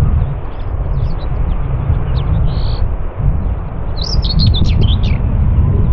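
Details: Common whitethroat, Morte Hoe, Devon, UK: a few faint thin notes early, then a brisk, scratchy, rattling warble near the end, all set against loud buffeting wind.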